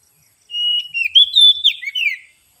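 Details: Oriental magpie-robin lure song, used to attract the birds. A single clear whistled phrase about two seconds long: a long steady note, then quick sliding and warbling notes that fall at the end, in silence.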